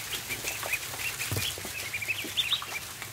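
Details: Barn ducklings at feeding time peep steadily, bright high chirps repeated several times a second, with a brief low thump and shuffling underneath.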